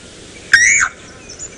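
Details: A Levaillant's cuckoo at sunrise on 3 January 2018 in the Sabi Sands, South Africa, gives its loud, repetitive call: one loud, harsh, slightly falling note lasting about a third of a second, over a quiet background with faint distant bird notes.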